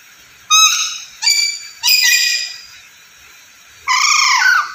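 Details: Black-capped lory, described as a busy, talking bird, giving four loud raucous screeches: short harmonic squawks followed by a longer, wavering, downslurred squeal, with a steady hum beneath.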